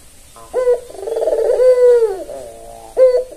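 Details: A single cycle from a tame white, red-eyed albino Barbary dove used for luring: a quick rising note, a long deep throaty coo sliding downward, then another sharp rising note.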